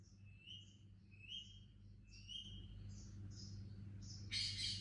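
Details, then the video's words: Indian ringneck baby parrot making faint, repeated rising chirps, about four a second, with higher twittering notes above and a louder rasping burst at the close; a low electrical hum runs throughout. "Cute Indian Ringneck Baby Parrot Chirping Sound"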